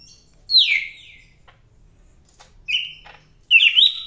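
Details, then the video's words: Greater green leafbird from Medan singing vigorously, opening with a strong falling whistle, then a flat clear note and a rich, rough warbling burst after short silences. "BURUNG CAK IJO MEDAN GACOR NGAMUK"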